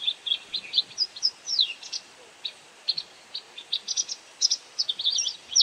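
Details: Feeding white wagtail calling as it catches insects: bright, high chirps in loose clusters, a few with downward-slurred twitters, separated by short gaps, with light background hiss.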